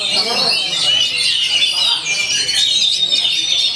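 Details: Oriental magpie-robin, said to perform energetically every day: a short burst of high, fast whistled and twittering notes with clear sliding tones, continuous and loud.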